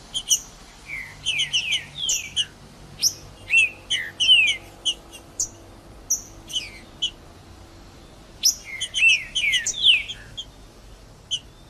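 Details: Green-winged saltator song recorded in the woods, meant to stimulate a quiet bird into singing: bright descending whistled slurs mixed with sharp high chirps and clicks, in bursts separated by short pauses, with a quiet background.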